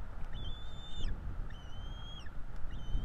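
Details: Two bald eagle chicks in a Florida nest calling for food as adults feed them, 5 April 2022: three high, thin whistles, level and then dropping sharply, roughly one per second, over a deep steady hum.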